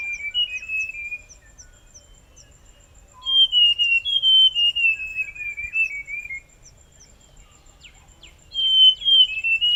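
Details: Song of a Forest scrub robin, a series of clear whistled phrases of quick slurred notes that drift downward, each lasting about three seconds with short gaps between, while an insect ticks steadily in the background.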